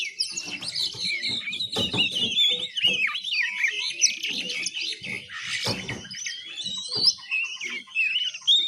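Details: Young oriental magpie-robin learning its ngiriwik song: a long rambling stream of twittered, quavering whistles with no pauses, punctuated by repeated soft clicks and knocking sounds nearby.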